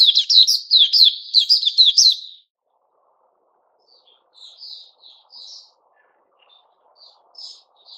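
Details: White-crowned shama in new feathers delivers a quick run of loud, repeated chattering notes for about two seconds, then falls to scattered soft, distant-sounding whistles.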